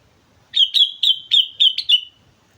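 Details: Sooty-headed bulbul singing vigorously on Mount Slamet: a rapid run of seven sharp, bright chirped notes, each sliding downward, delivered in about one and a half seconds against a quiet background.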